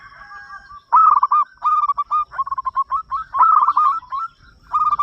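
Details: Local zebra dove, an eager singer, calling others to sing: near-continuous chains of quick rolling coos with brief breaks and accented notes at the start of each run.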